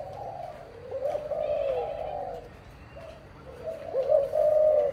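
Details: Spotted dove pair, parent birds, giving soft low wavering coos that run together in a near-continuous murmur over a steady background hum and noise.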